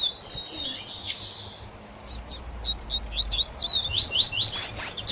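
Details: Double-collared seedeater (Coleiro) males in a song dispute over a female, with Tui Tui Zel, Sil Sil and Mateiro song types: a quickening run of high, sharply rising slurred notes building after two seconds, over earlier hiss and low rumble.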